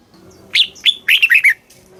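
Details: Red-whiskered bulbul in Thailand giving one phrase of southern master-style song, used to stimulate caged birds and teach young: a few rising whistles then a rapid run of slurred, falling notes.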